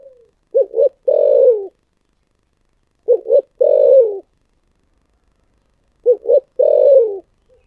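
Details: A spotted dove repeats its thổ sấm style cooing phrase three times, about every three seconds. Two to three short, stuttered notes are followed by a long, mellow coo that drops in pitch.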